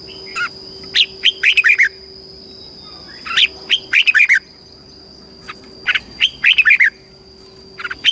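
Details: Caged red-whiskered bulbul, Thailand, singing southern master-style phrases meant to excite birds and teach chicks: three lively bursts of five or six slurred, chirpy notes repeated about every two and a half seconds, over a faint steady whine.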